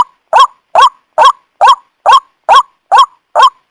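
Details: Luring call of a white-breasted waterhen, used to attract the bird for trapping: eight loud, rasping, honking notes, each with a quick upward twist, delivered at a brisk, regular pace of just over two per second.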